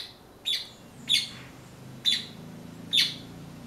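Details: Blackbird that came for persimmons and fed on passion fruit; four loud, sharp, high chipping notes at uneven intervals of about a second, over a low steady background hum.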